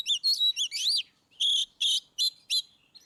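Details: Oriental magpie-robin in ngeplong style, a track to make reluctant birds sing: quick chevron-shaped whistled notes and a rising sweep, then four loud buzzy bursts spaced evenly about a third of a second apart.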